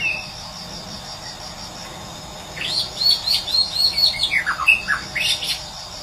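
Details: Morning song of a Medan white-rumped shama recorded in nature. After a steady hum of insects and background noise, high clear whistles repeat in a quick series, then fall into dropping, slurred notes.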